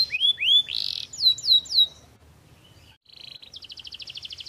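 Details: Energetic canary song ('gacor'): rising whistles and a harsh buzz, then several falling slurred notes, a silence, and a fast high trill of repeated chirps.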